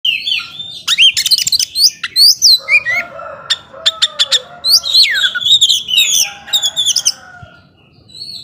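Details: Oriental magpie-robin in energetic 'gacor ngobra' song, said to provoke less aggressive rival magpie-robins: a fast, varied run of sweet whistles, sharp clicks and buzzy notes with rising and falling slurs, delivered in rapid bursts.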